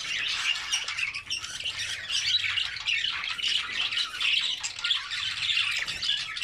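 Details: Several albino budgerigars with red eyes chatter while eating vegetables, a steady wall of scratchy high chirps and squawks layered over one another throughout.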